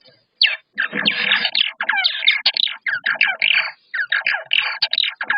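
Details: Purple martin vocalizations from a clip showing a male and a female, said to be distinctive; a female gives a rich, gurgling chatter of rapid liquid and croaking notes in quick bursts with brief pauses.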